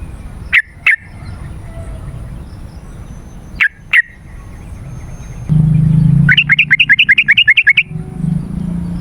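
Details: Yellow-vented bulbul lure sound for calling wild birds: paired short sharp notes twice, then a low hum and a rapid rattling series of about a dozen clipped notes.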